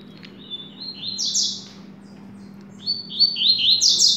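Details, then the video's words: A nervous Double-collared seedeater being prepared for song contests sings two fast, high phrases of bright, slurred notes stepping upward, with a low steady hum in the background. "Coleiro Top Transtornado"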